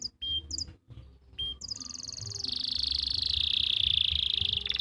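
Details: Canary in Pati, Central Java, singing to teach young or silent canaries: a few short chirps and pauses, then a long even high trill lasting about three seconds.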